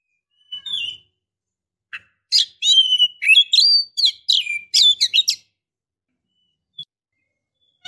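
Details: Oriental magpie-robin female calling the male to stir aggression, singing, or mating: a few soft whistles, then a dense three-second burst of whistled notes and scratchy chips before falling quiet.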